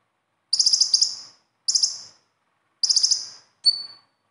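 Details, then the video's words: Repeated high trilled bursts from a konin sunbird in besetan style, used to encourage caged birds to sing: four quick, sharp chip series about a second apart, the last shorter and thinner. "SUARA KHAS KONIN AMPUH UNTUK PANCINGAN KONIN BAHAN"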